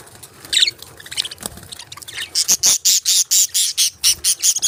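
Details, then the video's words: Tiny budgerigars chirping: after soft, uneven twitters, a fast series of very high, sharp, evenly spaced chirps takes over, about a dozen in two seconds, each bright and clipped, with faint rustling beneath. "Cute Chirping Of Tiny budgies"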